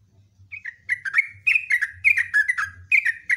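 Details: Loud, long 'ropelan' song of a 'gacor' sooty-headed bulbul, known locally as trucuk. After a short faint start it pours out a fast, uneven chain of rich, warbling phrases, nearly two per second, over a soft low background hum.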